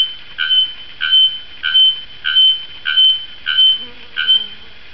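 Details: A bare-throated bellbird (araponga, Procnias nudicollis), recorded from a camouflaged blind, strikes loud, ringing metallic notes like a hammer on an anvil, about seven in a row, one every 0.6 seconds; a faint low call near the end.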